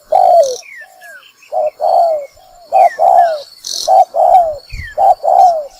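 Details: Lure spotted dove for bird trapping, uttering soft, rounded coos in quick paired and tripled bursts, each note slightly falling, while thin rising whistles from another bird and a brief low thump sound in the background.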